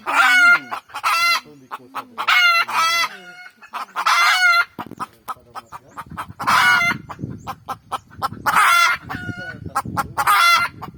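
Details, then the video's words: Red junglefowl calling near a garden cooking spot, giving repeated loud, rasping crowing phrases in clusters across the clip, with background murmur growing in the second half. "suara ayam hutan"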